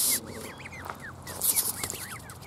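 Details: Canada goose hissing in brief breathy noisy bursts, mixed with a run of repeated high, arched peeping notes.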